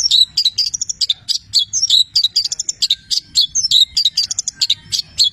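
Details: Long-tailed shrike (cendet) singing nonstop in training style, its song filled with imitations of labet and canary: dense, high chattering notes and quick rising whistles tumbling in irregular bursts, with no pause.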